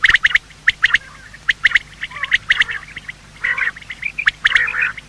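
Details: Quail, both male and female, calling in the morning, sound used to hunt quail: quick clicky chirps in tight clusters, turning into a busier, buzzier chatter in the final second.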